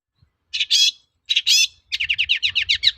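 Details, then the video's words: Long-tailed shrike in full song, used as a lure so other shrikes answer: two harsh, buzzy bursts, then a fast run of about a dozen sharp chirps sliding down, closely spaced and shrill. "BANYAK CENDET NYAUT MENDENGAR SUARA BURUNG CENDET GACOR INI"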